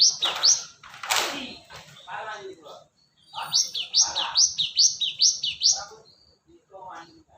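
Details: Cinereous tit (gelatik batu) used as a lure: loud rustling, clattering noises first. Then a run of six rapid, rising, high whistled notes, with some mid-pitched chatter and scraping between them.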